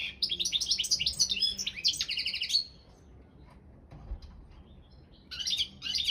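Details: European goldfinch of the Balkan form Carduelis carduelis balcanica entered in an online world singing championship: fast liquid twittering and tinkling phrases with rapid buzzy trills, a pause, then renewed twittering bursts.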